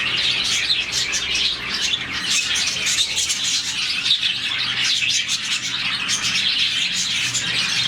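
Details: Happy budgies, around 40 in one colony, chirping in the morning; constant busy twittering from many birds, with high squeaky notes and short harsh calls woven through an unbroken chatter.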